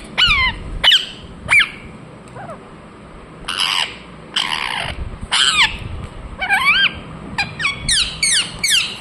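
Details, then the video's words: Indian ringneck parakeet chirping with a varied run of screeching notes. Some are sharp and falling, some longer and buzzy, and quick rising-then-falling squeals cluster toward the end. "Parrot Chirping sounds Natural Sound | Ringneck parrot Naturals Sound"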